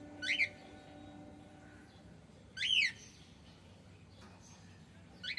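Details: Male cockatiel giving loud, shrill, harmonic-rich chirps that rise and then fall. Three calls come about two seconds apart, with a faint hum behind them.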